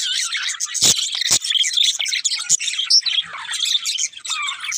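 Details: Budgerigars chattering together, with a constant run of high twittering chirps, squeaks and short whistled slides. Two sharp clicks come just after the first second.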